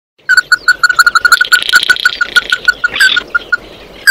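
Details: Oriental white-eye singing to call its flock: a fast series of clear, even notes repeated about three times a second, with a buzzy, chattering band higher up running through the middle.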